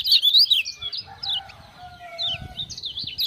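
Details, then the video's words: Lively kecial kuning (lemon-bellied white-eye, Lombok) set off by ciak-ciak sounds: loud high chirps open, then scattered bright notes over a level, low sustained whistle. "Kecial Kuning joss gacor"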